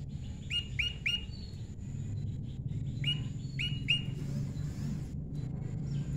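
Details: Prinia heard in the wild while pairing: a rapid triplet of upward-flicked notes, a pause, then another cluster of three similar sharp notes, with low background hum throughout.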